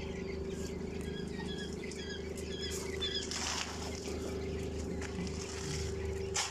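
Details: Home-raised quail, twenty days old, heard as a flock making quick, thin, high chirps clustered in the first half, then scattered peeps, all over a constant low machine hum and some rustling.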